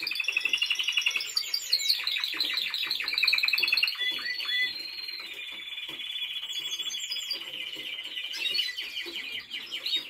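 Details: Timbrado Español canary being trained, opening with a fast hard rattle of clicks, then a long smooth held whistle-like roll that stays level, ending with renewed chattering trills.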